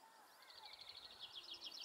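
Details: Yellowhammer on heathland near Uddel, May 2013: a rapid series of short, high, repeated notes that grow denser and louder toward the end, over fainter lower whistled notes in the background.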